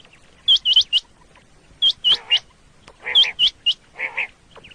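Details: Quail hunting in Pakistan, common quail calling: three sharp, high, hooked notes in quick groups spaced over a second apart, followed by lower, rougher bird calls.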